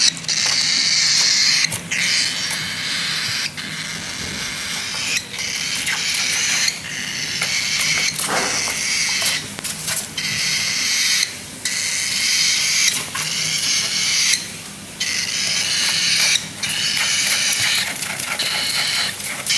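A young cockatiel gives harsh, hissing, raspy calls in long bursts broken by brief pauses.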